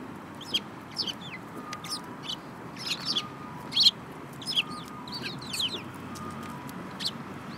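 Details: Sparrows chirping on 5 February 2018, a yellow-beaked bird among them: a steady run of short, bright chirps, roughly one or two each second, some doubled, over soft background noise.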